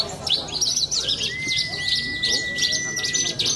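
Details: Competition bush lark, a young bird from Cilacap, Indonesia, with a history of contest wins. It delivers rapid, jumbled high twittering with looping notes, over a long flat whistle-like tone that lasts most of the clip.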